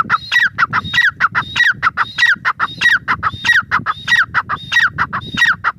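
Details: Steady, rhythmic grey francolin calling throughout, with harsh, descending notes punctuated by thin high whistles and repeated at a fast, even tempo over low background noise.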